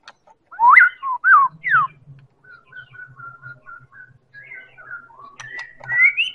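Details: White-rumped shama of the Medan type singing as a lure to make other birds sing: loud rising and falling whistled slurs open the phrase, then softer level whistled notes, ending in higher rising whistles, with a faint low hum beneath.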